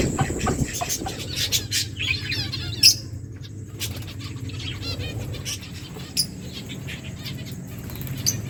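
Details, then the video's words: Lovebirds chirping while eating food, recorded on 31 July 2024: scattered short sharp chirps and squeaky notes, some rapid ticking bursts, over steady low background noise and a constant high electronic whine. "Lovebirds chirping sounds birds eating food"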